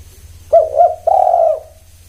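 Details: A single spotted dove phrase: two clipped, bouncing hollow notes then one sustained, smooth, low coo fading away, over a quiet background hum.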